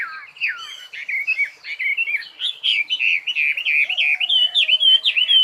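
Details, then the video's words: Continuous twittering song of a bird, an even run of rapid looping whistles and chirps with scarcely a pause, steady in pitch and loudness throughout. "Chim hót"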